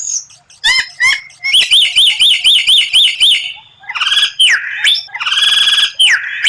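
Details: White-rumped shama training song with rare 'tembakan' bursts: sharp chips, then a fast rolling series of bright rising-falling notes, followed by buzzy harsh phrases and downslurred whistles.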